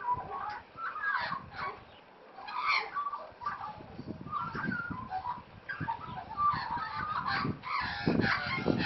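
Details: Playing wild Australian magpies make squeaky, gurgling warbles and harsh chattering notes, mixed with frequent scuffling, thumping and rustling noises throughout.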